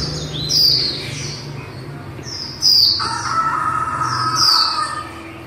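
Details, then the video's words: A khuyên mái, or female white-eye, gives three bright, high, falling whistles spaced about two seconds apart in líu style, with a brief lower tone in the middle and a low rumble underneath. "Khuyên mái líu đẳng cấp THẾ GIỚI"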